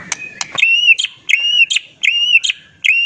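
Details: White-rumped shama singing to provoke other shamas into replying: a few sharp clicks, then a steady series of bright, slightly rising whistles, each introduced by a crisp tick and repeated about every 0.7 seconds.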